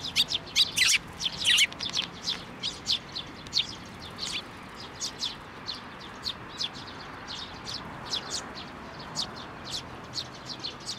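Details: Several sparrows at a Tenmangu shrine on 19 May 2024 come to a hand to be fed; a busy stream of bright, high chirps, loud and overlapping at first, then steadier single notes.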